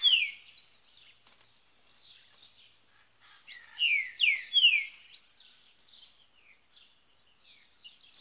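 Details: Green-winged saltator in the bush, a caged bird excited by a free one nearby: loud, clear downslurred whistles in short bursts, separated by pauses, with other thin high chirps and twitters around.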